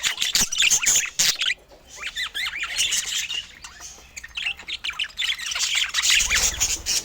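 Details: Budgerigars warble in looping chirps that rise and fall, several notes per second, with clicks at the start and a low rumble near the end.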